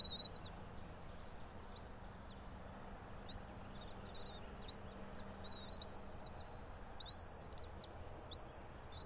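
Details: Bald eagle at a pine-top nest about 90 feet high, Johnson City, Tennessee, 06:28 on 04.03.2024; uneven string of high, arched, squealing chirps, around forty-six a minute, over soft low background hum.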